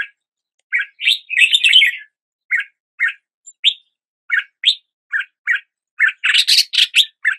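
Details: Single Red-whiskered bulbul notes, short and rising, delivered about every half second around a rich chattering burst, ending in a harsher, broader scratchy phrase.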